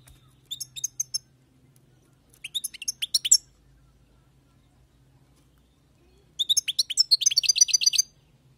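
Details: European goldfinch taken from the wild, giving short clusters of bright, high chirps and trills that build into a fast, liquid twittering run near the end, with a faint low hum beneath.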